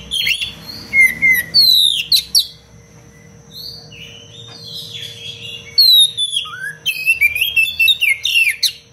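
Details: Oriental magpie-robin singing a tight, fast song intended for teaching other birds: clusters of bright falling whistles and quick chirps, a quiet gap, then another rapid burst of sweeping notes.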